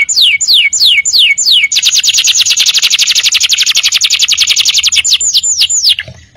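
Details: Canary song used to tutor untrained birds: a few falling whistled slurs, then a long, very fast, even trill of rapid notes, closing with several curved downward whistles.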